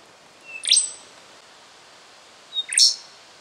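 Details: Rufous songlark in Victoria, Australia, recorded September 2011, giving two loud song phrases about two seconds apart, each a brief thin whistle leading into a bright, ringing burst with a piercing high whistle on top; quiet hiss behind.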